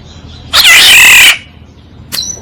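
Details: Single loud, rasping, nasal call of a Black-naped oriole used as a decoy, lasting nearly a second, followed by a brief faint whistled note.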